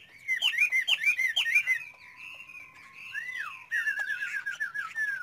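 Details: Chinese hwamei in song, caged bird: a burst of rapid looping whistled phrases, a softer thin drawn-out whistle, then a fast trilled run of warbling notes.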